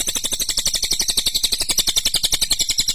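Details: Lesser green leafbird pouring out a clear, sharp song: a continuous, loud series of rapid rasping notes at a steady pace of about seven per second for three seconds.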